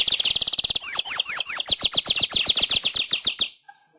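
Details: Weaver training song for pet birds: a fast chatter of buzzy high notes, with a run of swooping, falling whistled notes woven in, ending abruptly after about three and a half seconds.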